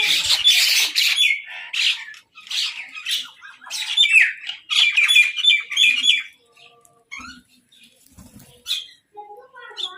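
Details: Crows quarrelling over food near a mynah: a dense opening flurry of loud, hoarse squawks, then a run of choppy raspy calls that thins into scattered, quieter notes.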